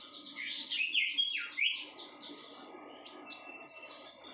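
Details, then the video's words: Red-whiskered bulbul, a female in breeding condition, opens with loud downslurred whistled chirps, then continues with thinner high notes spaced about every third of a second. "burung konin betina birahi gacor"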